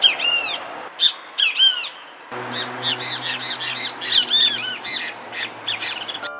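Great Kiskadee giving loud, strident, harsh notes in quick bursts of two or three, high and ringing, with soft background music underneath.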